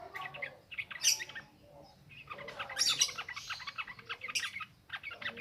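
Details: Lure recording of a yellow-vented bulbul in the ngropel ngalas style for newly caught birds, with energetic chattering chirps and warbles in dense bursts and short pauses between them.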